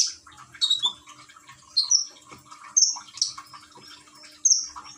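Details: Common iora kept in a cage in Gresik, East Java, Indonesia, with a water therapy sound playing; irregular bright high whistles and chirps, some descending, over a steady soft trickle.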